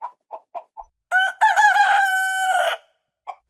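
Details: Farm rooster crowing to herald daybreak: four brief clucks lead into one loud, sustained crow with a short opening note, a long level middle and a falling end, followed by a single cluck.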